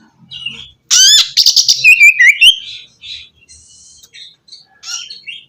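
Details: Oriental magpie-robin song meant to stir a silent bird into singing: a sudden burst of rapid rising trills and sharp whistles, then softer, scattered chirps.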